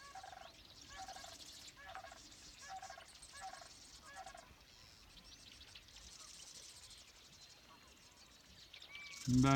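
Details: Distant sandhill cranes at Summer Lake Wildlife Management Area marsh, Oregon, give rolling, rattling bugles about every second for five seconds over marsh background, ending in a loud gust of wind as a storm arrives.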